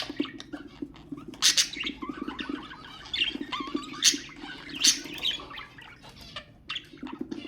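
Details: Ornamental budgerigars warble in a dense, busy chatter of quick chirps and squeaky rising notes, with louder sharp bursts near 1.5, 4 and 5 seconds, played to stimulate other birds; a steady low hum runs underneath.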